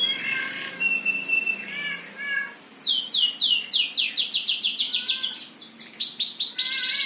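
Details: Singing bird opens with a few lower chirps and a steady whistle, then launches into a rapid run of descending, sweeping high notes, ending in a buzzy trill, with a quieter second voice beneath.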